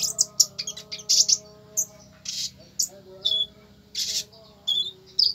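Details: Konin song: quick clusters of high, sharp chirps, then spaced, slightly longer buzzy notes, with a steady low hum in the background.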